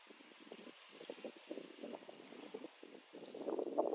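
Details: Ducks in freezing rain on the afternoon of May 1, 2019, giving low, rough, rapid quacking and chattering notes in irregular bursts, several a second, growing busier toward the end over a faint hiss of rain.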